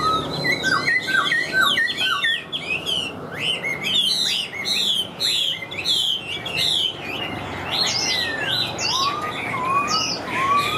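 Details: Caged Chinese hwamei, large-bodied, flicking its wings and tail while singing: a loud, rich song of rapid varied whistled phrases, slurred up and down, with repeated note groups and clear rising whistles toward the end.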